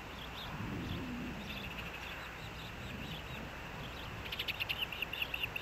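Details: Osprey at a nest by the mouth of Hellgate Canyon, Missoula, Montana, on 3 August 2024, as the male brings a fish for breakfast; a rapid run of short, high, sharp chirps in the last moments over a steady hum of traffic.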